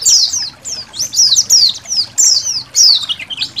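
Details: High, thin white-eye notes from a colony, meant for training songbirds beside trickling water; quick descending chirps tumble one after another with little pause, some softer notes between.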